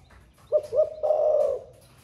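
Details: Cooing spotted dove of the 'thổ pha' style, heard cooing all day: a pair of short mellow hoots, then a long, even, low coo, with little else audible.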